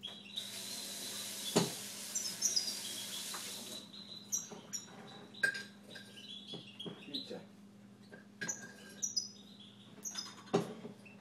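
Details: A Siberian goldfinch kept at home sings scattered high twittering notes and short metallic chirps after an opening hiss of noise, phrases spaced by short gaps, over steady electrical hum.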